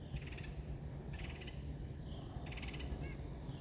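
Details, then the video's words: Red-headed woodpecker in Algonkian Regional Park, Virginia, on 11/25, giving calls typical of the colder months: three harsh, raspy calls about a second apart, each about half a second long, over a steady low rumble. "Red-headed Woodpecker in Algonkian Regional Park making sounds"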